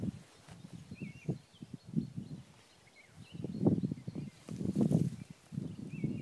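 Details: A black grouse recorded on 3 April 2016 in the eastern Ore Mountains, iPhone 4 on a spotting scope, gives deep rolling bubbles in pulsing bursts that grow louder midway, while small birds chirp faintly in the background.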